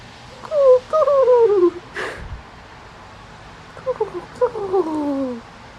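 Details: A dove, reacting to a person making cooing noises at it, gives soft, moaning coos that slide downward in two short runs of several notes, with a single sharp knock between them.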